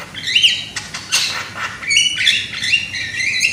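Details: Young loud-voiced Javan myna, used as a singing lure: a chattering mix of rising whistles, buzzy rasps and sharp up-slurred notes packed into a brisk phrase.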